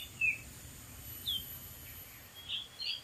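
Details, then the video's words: Wild Oriental magpie-robin singing from atop a dead tree gives short, high whistled chirps, four brief notes spaced unevenly over three seconds, against a soft background hiss. "KICAU BURUNG KACER DI ALAM LIAR"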